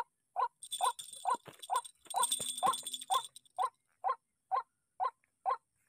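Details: White-breasted waterhen agitated by an MP3 decoy during trapping gives short, harsh croaking notes repeated roughly every half second, steady and evenly spaced, briefly overlaid by jingling, rattling noise.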